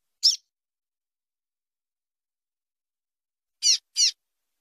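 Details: Female Double-collared Seedeater giving male-like chip calls, used to warm up and stimulate males to sing before tournaments; one sharp high chip, then after a long silence two quick chips close together.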